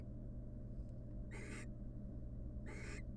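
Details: Wild barn owl pair at their nest box, the female showing the male love between spells of incubating eggs. Two raspy hissing screeches about 1.3 seconds apart, each roughly a quarter second long, with faint ticks before them.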